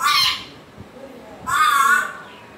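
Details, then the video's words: Grey parrot giving two loud harsh squawks about one and a half seconds apart, each a rough rising-falling note, in a quiet room. "african gray parrot sounds"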